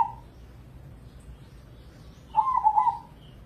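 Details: Crossbred zebra dove, a contest bird said to sing morning, midday and night, used as a lure to set other doves singing. Late in the clip one low, rolling, bubbly cooing phrase sounds, with a cut-off phrase at the very start.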